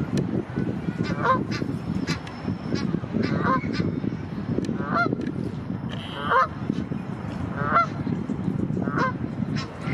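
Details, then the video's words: At Heidelberg, a father Egyptian goose protecting his young from other Egyptian geese gives harsh, nasal honks in short bursts every second or so, over a steady low rumble. "Father Egyptian goose protects offspring from other Egyptian geese"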